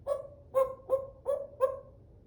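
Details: African grey parrot repeating five short, hollow, hoot-like notes at an even pace, roughly one every third of a second, with nothing else audible.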